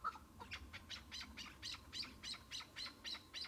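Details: A single chukar partridge in spring, on patchy snow-covered ground at the start of the hunting season, gives a fast series of harsh, clucking chuk notes, about three or four a second, over faint background hiss.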